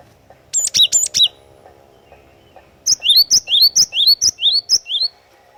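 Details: Loud-singing cinereous tit (glatik watu) kept as a lure bird for song tutoring: three sharp high notes, a pause, then a fast run of about ten bright, rising-falling whistles, roughly two per second.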